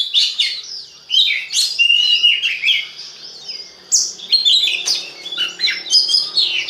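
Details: Kacer or Oriental magpie-robin lure song for stirring other birds to sing: varied bursts of loud whistles, rasps and twitters separated by short breaks, strong upslurred note midway.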